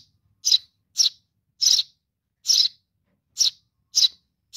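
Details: Sparrow chick calling to its mother with seven clean, piercing chirps at an uneven pace, the background otherwise silent.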